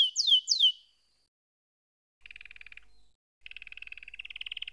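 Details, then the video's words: Two quick descending whistles, then after a pause soft rolling trills from a canary, the last one steady and slowly rising. "Canary SINGING Like a Pro with Proven Tone Techniques!"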